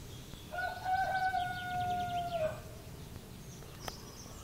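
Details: Rooster crowing in the early morning at Zgornja Kungota, Slovenia, near a dark forest: one distant, drawn-out, steady crow of about two seconds that ends with a slight drop. A faint rural background and a brief click follow.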